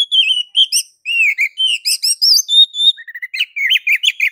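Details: Oriental magpie-robin giving a ngeplong master song, meant to make others sing: smooth whistled phrases and trilled notes, a long level whistle, then a fast run of warbling slurs.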